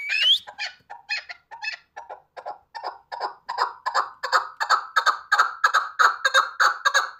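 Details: Hunting chukar partridge: scattered short notes and a high whistled slur at the start build into a steady run of clucking chuk notes near one kilohertz, about three per second.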